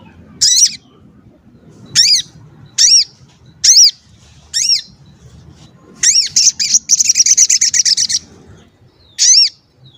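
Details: Lively crested jay used to provoke others into calling: evenly spaced loud arched squeaks roughly every second, then a brief fast harsh rattle, then one more squeak.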